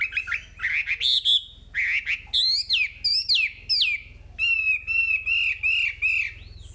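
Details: Wambi song used as tutor material: rising and falling whistled notes, steep downslurs, then a steady series of level, ringing whistles with strong harmonics.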